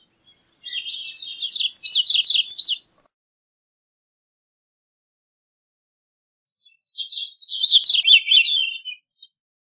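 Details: Gray-cheeked thrush delivering two separate phrases about five seconds apart, each a rapid, wavering series of high, reedy notes lasting over two seconds, the second falling toward its end.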